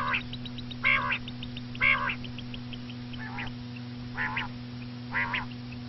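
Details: Common quail, described as the female: nasal, buzzy harmonic calls repeated roughly every second, some in quick pairs, with faint high ticking notes and a constant low hum.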